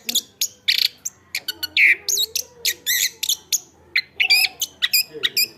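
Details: Singing chestnut-backed thrush used as a tutor recording for other birds: sharp high notes alternate with looping warbled whistles and a loud slurred whistle, delivered in short bursts about twice a second.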